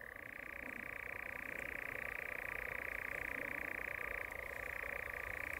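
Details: European nightjar (Caprimulgus europaeus) courting at dusk gives a steady, dry, mechanical churring trill held unbroken, dipping slightly in pitch near the end, over a faint background hum.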